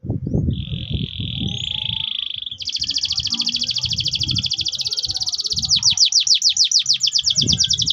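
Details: Orange canary of the Loper line, singing roll and clear rapid trills: a steady buzzy trill, then a faster pulsed trill, then a louder trill of repeated downslurred notes, with low thumping sounds in the background.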